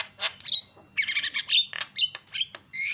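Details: Javan myna used as a lure to get other birds calling: dense, scratchy chatter of squawks and short whistles packed closely together, fast and irregular, over a soft low hum.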